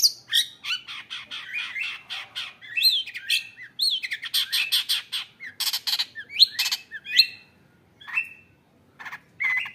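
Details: Long-tailed shrike kept in a cage, recently acquired, in busy song full of isian phrases: rapid scratchy chatter mixed with rising and falling whistles, dense at first, then thinning into spaced notes with brief pauses.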